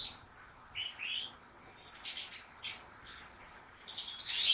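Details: Caged European goldfinch from a professional breeder's leading bloodline sings short, high, tinkling notes spaced about a second apart over a steady background hiss.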